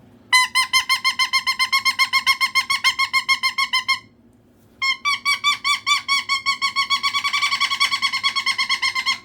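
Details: Cockatoo kept as a pet making noise for attention, a long rapid series of short nasal squawks, several per second, broken by one brief silence before resuming louder and denser.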